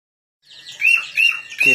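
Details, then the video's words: Long-tailed shrike singing energetically before a fight: a short burst of sharp high chirps with three bright, slightly arched whistled notes rising in loudness toward the end. "Burung sirtu Gacor Siap di Adu"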